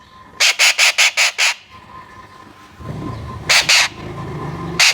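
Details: Young Alexandrine parakeet: six rapid, harsh squawks in a quick series, then two more after a pause, and a final squawk, with a steady low hum in the background.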